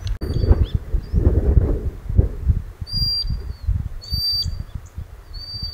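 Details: Common sandpiper, a small wader, calling its young near its breeding site beside a river in the North of Scotland, recorded on a Sony a6600. High thin whistled notes come in short bursts, over strong low rumbling river and wind noise.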